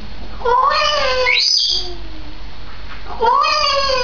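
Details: A two-year-old female Grey parrot kept as a pet indoors, recorded 16 May 2010, gives two drawn-out, mewing, harmonic calls that rise then slowly fall, with a soft lower note trailing between them.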